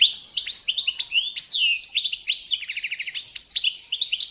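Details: Competition-standard song of the Balkan goldfinch, Carduelis carduelis balcanica, used for training: fast tinkling twitters, upslurred whistles and a run of rapid repeated notes, all bright and high with no background.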